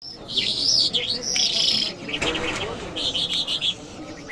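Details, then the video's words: Iranian jal lark, called Mashhadi mast, singing high whistled phrases that rise and fall, then a burst of rapid repeated chirps, with low murmuring voices behind. "Jal Birds Iranians Lark Sounds | صدای طرقه، مشهدي مست"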